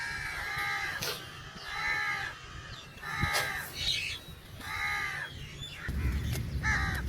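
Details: A crow calls for food with harsh, nasal caws repeated roughly every one and a half to two seconds. Low background rumble grows near the end.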